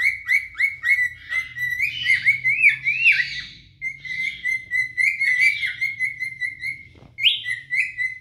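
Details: Adult cinnamon cockatiels, two birds singing to court a mate: series of clear repeated whistles interleaved with rising warbled flourishes and rougher chatter, with a brief pause before the whistling resumes.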